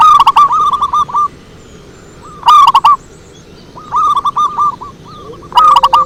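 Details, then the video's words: Zebra dove lure song: four short bursts of rolling, throaty cooing notes, each a quick stuttered phrase of about five to six notes. Some phrases ring loud and near, others fainter, suggesting several doves answering one another. "Suara Merdu PIKAT PERKUTUT"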